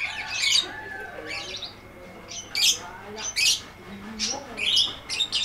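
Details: Lovebird singing long ngetik ngekek phrases, played as training audio: harsh high chattering bursts in irregular runs, with softer lower twitters between them.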